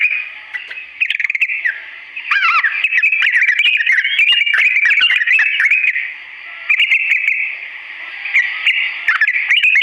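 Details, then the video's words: Sooty-headed bulbul singing a long, slow song meant for other birds to copy: nearly unbroken rich warbling with twisting phrases and sharp clicks, easing into quieter spells before loud bursts return. "TRUCUK GACOR ROPEL PANJANG NADA PELAN ‼️ UNTUK BURUNG TRUCUK CEPAT MENIRUKAN"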